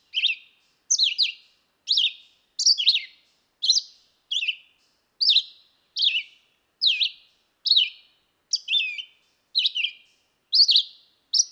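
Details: Red-eyed vireo singing short, slurred whistled phrases, each under half a second, in the upper treble, delivered roughly once a second with brief pauses between, every phrase slightly different in shape.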